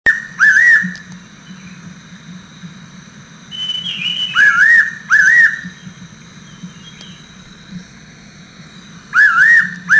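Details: Fairy pitta (Pitta nympha) gives clear, doubled whistles, rising then falling, in bursts a few seconds apart over a low steady hum and faint higher chirps.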